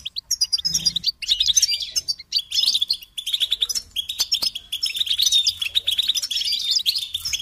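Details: Goldfinch singing on a training tape for chicks and songbirds. Brief twittering notes open the clip, then a short break, then sustained fast chattering and tinkling phrases run on, growing denser and steadier toward the end.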